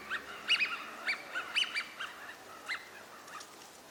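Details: Wintering Eurasian wigeons (Mareca penelope) at a park pond in Chiba, Japan, in February give short, clear, high whistles, several in quick, uneven succession, as if from more than one bird, over a faint background hiss.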